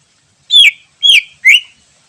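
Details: Greater green leafbird in the wild, sound meant as a lure: three clear whistles, each sliding downward and then levelling, spaced about half a second apart.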